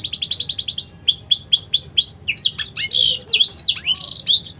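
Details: Canary of BBSF and Berner cross singing blackthroat phrases, recommended as a tutor for young birds: a rapid rattling trill, a row of arching whistled notes, then varied rising and falling chirps and a short buzz.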